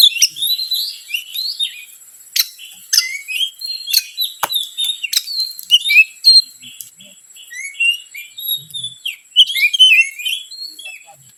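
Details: Oriental magpie-robin lure song meant to provoke other birds: varied high whistled phrases and rapid chirps, broken by sharp clicking notes, with a steady faint high tone underneath.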